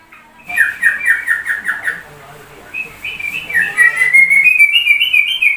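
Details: Sooty-headed bulbul singing like a white-rumped shama: a quick series of repeated down-slurred whistles, a short pause, then a climbing run of clear notes rising steadily in pitch.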